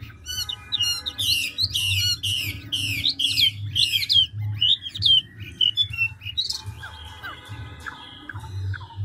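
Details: Chinese hwamei, big handsome wild-caught adult bird, rapid changing song: quick ticking notes, then a run of loud rasping buzzy strokes and whistled slurs, later softer repeated downward whistles, roughly two elements a second, over a low hum.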